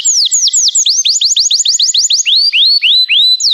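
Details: Canary song for prompting a pet canary to sing: clear whistled notes that sweep down, then a run of rising slurred notes repeated about four per second, steady and loud.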